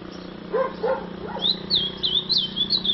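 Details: A dog barks a few times before an azulão breaks into quick, looping warbled notes over a low background hum.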